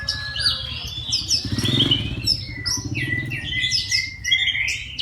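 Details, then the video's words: Oriental magpie-robin in full midday song meant to stir other magpie-robins into singing: varied whistles and slurred notes over a steady low rumble, continuous chattering phrases without clear pauses. "KACER NGEPLONG SIANG HARI COCOK UNTUK PANCINGAN KACER AGAR NGEPLONG DAN RAJIN BUNYI"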